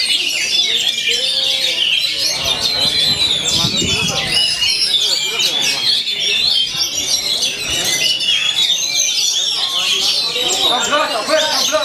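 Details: Oriental magpie-robin described as singing vigorously every day without falling silent; rapid, unbroken stream of high whistles, chatters and trills, busy and varied, with soft low background noise.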